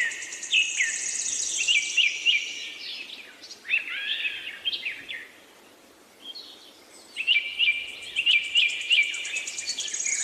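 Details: Rainbow lorikeets kept in an aviary produce piercing buzzy screeches with repeated sharp squeaky notes, a short quiet pause midway, then another loud bout of shrill chatter.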